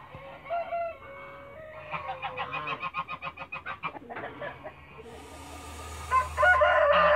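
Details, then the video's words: Toulouse goose, a mother guarding her eggs in a backyard; a falling tonal note, then a fast run of clucking pulses, a harsh hissing stretch, and louder harmonic honks at the end. "MOTHER TOULOUSE GEESE GUARDIAN THE EGEES IN THE BACKYARD"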